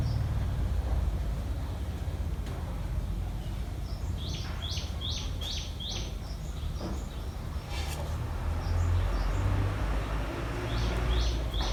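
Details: Common tailorbird in a rural setting, a parent bringing food to its chicks: short, sharp, high chirps in quick bursts, clustered mid-clip and again near the end, over a steady low rumbling background noise.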